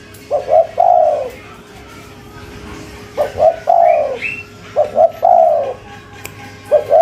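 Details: Local spotted dove singing actively in the cetrekan style: low, hollow coos in phrases of two short notes followed by a longer drawn note, repeated about every two seconds, with faint higher chirps from another bird in the background.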